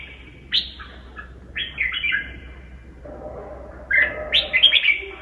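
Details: Red-whiskered bulbul singing in a very twisting, elaborate style: short bright whistled phrases, some slurred and falling, in bursts about a second apart, over a low steady background hum.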